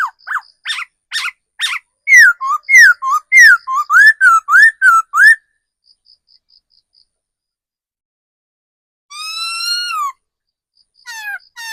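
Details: Decoy laughingthrush, described as an old forest bird, singing loud clear whistles: a quick run of slurred descending notes repeated about every half second, a short pause with faint ticks, then a long harmonic-rich drawn note and fresh whistles.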